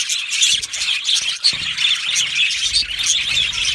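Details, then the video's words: Many budgerigars in a colony aviary give a thick wash of high twittering. Thin whistled squeaks stand out against continuous scratchy chatter. "Budgie parrot chirping sounds"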